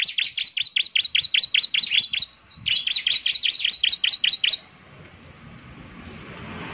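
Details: Bar-winged prinia, ciblek semi, sings a quick repeated series of sharp high chirps for about four and a half seconds, with a brief hitch midway, then falls silent leaving faint hiss.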